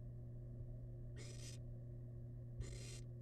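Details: Two drawn-out, harsh rasping hisses about a second and a half apart from a wild barn owl chick tearing into rabbit leftovers in a research nest box; a faint tap and steady hum.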